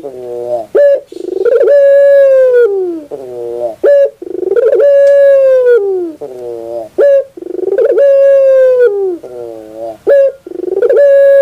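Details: Barbary dove song meant for training birds. Clear ringing coos drop away at their ends, alternating with lower burry trills and short clipped notes, repeating regularly about every three seconds, four times.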